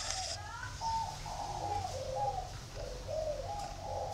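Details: Spotted dove at a northern Vietnamese breeding garden in Ba Vì district giving a steady string of gentle, slightly wavering coo notes, each phrase short and evenly spaced, over low background rumble.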